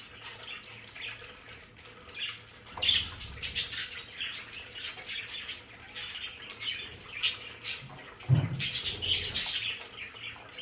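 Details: Several pet budgerigars in their home play area give soft, rapid chirping and warbling chatter, with scattered high twitters and a few low thumps and bumps from movement in the background.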